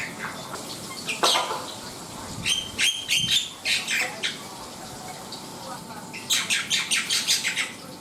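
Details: Black-winged myna singing energetically: scattered harsh, broadband bursts with brief tonal notes, then a fast run of about eight rasping notes near the end. A steady faint hum runs underneath.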